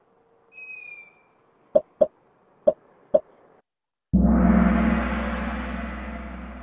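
A young Long-eared Owl gives one high, thin, drawn-out squeak lasting nearly a second. Four dull knocks and a burst of rushing noise follow.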